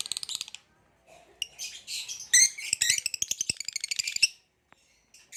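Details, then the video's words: Caged Lilian's (Nyasa) lovebird and green hybrid male: a fast, rising burst of buzzy, rattling chirps builds into rapid pulsed trills lasting a few seconds, then silence and a few faint clicks. "Green Hybrid and Lilianae Nyasa Lovebird Singing & Chirping Sounds"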